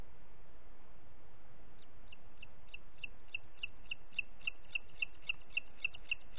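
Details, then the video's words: Booted eagle calling in Parc Natural dels Ports on 30 June 2021, 11:01: a run of high whistled notes starting faint and growing louder and steadier, about fifteen notes at a quick even pace. "Àguila Calçada"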